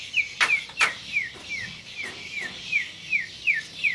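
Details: White-rumped shama delivering a tight-roll 'tembakan' phrase: a rapid series of sharp, downslurred whistled notes repeated roughly every third of a second, punctuated by a few loud, crisp clicks near the start.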